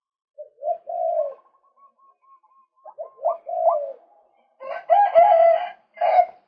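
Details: A male White-breasted waterhen heard on a luring recording: a series of short curved notes and a thin sustained tone, ending in loud, harsh, buzzy bursts with strong overtones.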